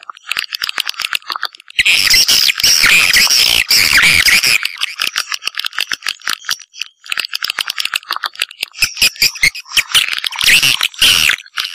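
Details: Swiftlet call played to draw in swiftlets, a dense buzzy chatter of fast clicks rolling into longer rasping trills, loud and steady with brief pauses.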